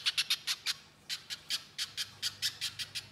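Little Spiderhunter giving sharp, high, scratchy chips, about four or five a second in quick bursts with a brief pause between runs.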